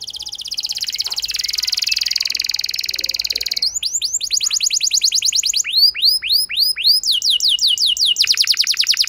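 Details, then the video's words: Canary singing as a lure for a less eager canary: a long, even, buzzy rattling trill followed by bursts of rising-then-falling swept notes repeated quickly. "Pancingan Ampuh Bikin Gacor Kenari Kurang Emosi! Jadi Gacor Panjang"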